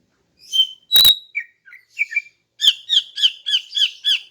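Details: Female greater green leafbird singing in the morning, used to lure males: scattered high chirps, then a sharp click, then a run of about eight quick, bright, evenly spaced notes in a rapid series.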